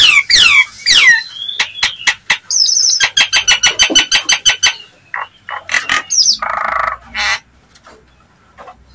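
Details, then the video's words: Nias hill myna lure call to provoke other mynas: fast descending whistled slurs, then a quick series of sharp repeated clicks and notes, harsh bursts and scattered whistles trailing off. "seketika nyaut dan emosi jalak nias manapun dengar suara pancingan jalak nias ini"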